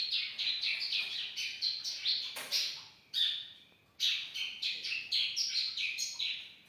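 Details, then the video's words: Young bar-winged prinia singing persistently, used as a tutor recording for training songbirds: rapid runs of high, sharp chirps and twittering notes in bursts, with a short pause midway and no other clear sounds. "masteran ciblek muda gacor"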